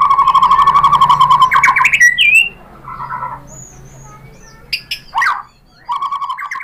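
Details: White-rumped shama (murai batu) lure song intended to make other shamas reply. A fast buzzy trill of rapid repeated notes, a sharp whistle, a quieter stretch with scattered calls, then the rapid trill returns.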